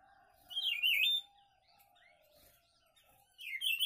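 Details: A friend's papa-pimenta sings a bright, fast, wavering high phrase lasting under a second. After a pause of quieter twitters over a faint low background tone, it starts another similar phrase.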